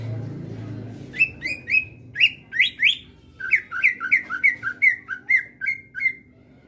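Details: Greater green leafbird singing: a run of sharp chirping whistled notes, first in short bursts, then a steady rapid series of downslurred notes, over low background rumble.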